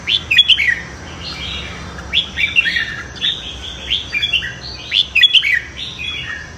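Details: Red-whiskered bulbul singing in a morning competition session meant for voice training and provoking newly caught birds; lively, rapidly repeated warbled phrases of bright slurred whistles, nearly continuous with brief pauses.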